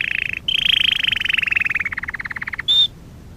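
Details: Canary song used in training: a long, fast trill of repeated notes that slowly drops in pitch and loosens, ending with a single pure, high whistled note.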